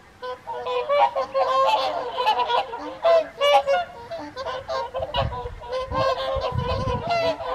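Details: A dense chorus of whooper swans calling at an evening feed on Caerlaverock's Folly Pond, January 2023: nasal trumpeting honks overlap continuously, some rising and falling, with scattered low thuds late in the recording.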